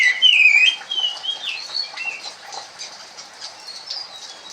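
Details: Oriental magpie-robin in soft kremun song: a clear wavering whistle opens, followed by quieter, scattered high chirps and warbles that fade steadily toward the end.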